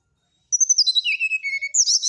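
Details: Brown-chested jungle flycatcher song: a quick run of high, clear whistled notes sliding downward from very high to mid pitch, ending with a sharp rising flourish; no other sounds.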